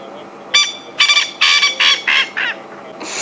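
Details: Male coqui francolin at Djuma Game Reserve calling again late on an April afternoon; a short note, then a run of six rasping, buzzy notes that step downward and shorten, with another harsh note starting at the end.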